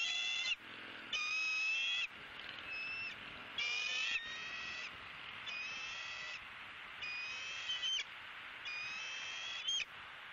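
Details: Bald eagle nest in Southwest Florida, watched by camera on 28 January 2017 as a month-old eaglet first grips and bites an opossum. Repeated shrill whistled notes with rich overtones, about six bursts in ten seconds.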